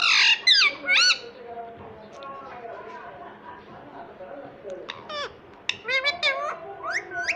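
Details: Pet ringneck parrot talking indoors: a few loud squeaky harmonic notes at the start, a stretch of quieter chattering speech-like babble, then a burst of rapid squeaky syllables near the end.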